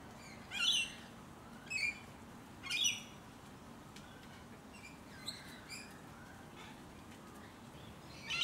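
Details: Musk lorikeets up close in the leafy suburb of Hunters Hill, Sydney, Australia, in late November–early December 2020, give three shrill rasping screeches in the first three seconds, then fainter chips and a final screech over a steady low rumble.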